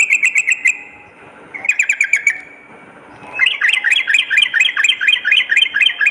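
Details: Sooty-headed bulbul lure song for morning and night: two short quick trills of ringing notes with high ticks, then a long run of rapid, rising and falling bubbling chatter.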